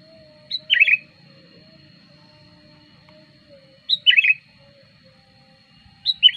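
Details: Sooty-headed bulbul lure song, used to attract wild bulbuls: short bubbly phrases, a high note then a warbling slurred burst, repeated roughly every three seconds over a faint low hum and a steady high tone.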